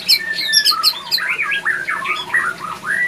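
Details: Male White-rumped shama in breeding condition sings rapid high chips followed by a run of looping slurred whistles, rising and falling quickly, in a captive breeding setting.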